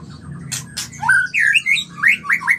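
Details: White-rumped shama, a mating bird, in a lure recording meant to stimulate breeding. Two sharp broadband bursts, then a run of clear whistled slurs and rising notes at varied pitches, with a low hum beneath.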